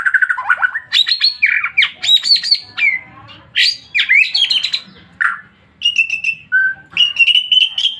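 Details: White-rumped shama in full song: a rich, varied run of whistled phrases, rapid chattering notes and sweeping slurs, delivered in bursts with short pauses between them.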